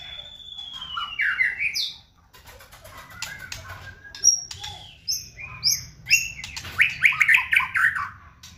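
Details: White-rumped shama song used as a lure to make other shamas respond and sing: a long clear whistle sliding down, then a run of varied rich whistled phrases and rapid warbles, with sharp clicks and wing-flutter noises between.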